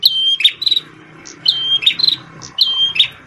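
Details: Rapid-fire song from a red-headed prenjak tamu prinia, a former shama tutor bird: three quick phrases, each a thin steady whistle and a scratchy buzzing flourish, over a low background murmur.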